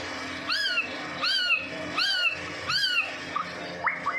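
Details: White-rumped shama from Medan, singing as a lure for other shamas: four loud, rich down-curving whistled phrases about three-quarters of a second apart, then short rising notes.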